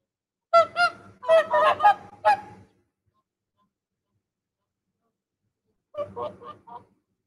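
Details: A whooper swan, a winter visitor to the UK possibly arriving from colder places like Iceland, gives loud, bugling honks: a burst of about eight nasal, trumpeting notes, a pause, then four more.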